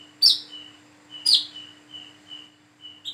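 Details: Young plain-throated sunbird learning to sing, its calls suited as a lure for young birds: two sharp high chirps with thin steady whistled notes between, then a short final note.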